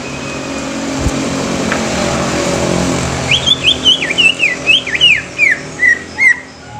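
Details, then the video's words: Greater green leafbird song: after three seconds of steady hiss and low rumble, a quick series of clear, sliding whistled notes, some rising and some falling, repeated in short bursts for about three seconds. "SUARA ASLI CUCAK IJO INI BIKIN CUCAK IJO BAKALAN CEPAT BUNYI"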